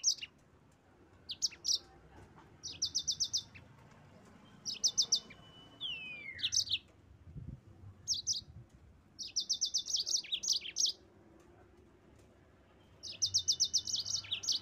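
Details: Yellow-fronted canary song meant to goad rivals into singing. Rapid buzzy chirp bursts come every second or two between pauses, with one drawn-out descending whistle midway and a faint low rumble behind.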